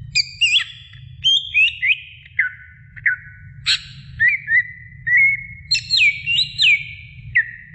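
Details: Female greater green leafbird calling to a male, producing clear whistled phrases with swooping, looping notes in irregular short groups over a faint low rumble.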